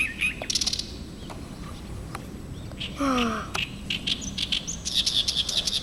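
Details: An Oriental reed warbler, arrived in early summer behind a house, sings morning and evening until finding a partner: bursts of harsh, scratchy chirps and clicks, with a brief falling nasal note midway over a low steady rumble.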